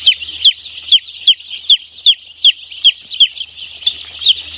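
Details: One-day-old chicks at a poultry farm: one loud chick gives sharp, downward-slurred peeps about every half second over a steady wash of softer peeping from many others.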